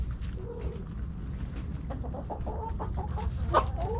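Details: Backyard hens and roosters snacking at Thanksgiving; faint short clucks recur through a busy flock murmur, with a sharper call near the end, all set against heavy low-pitched noise.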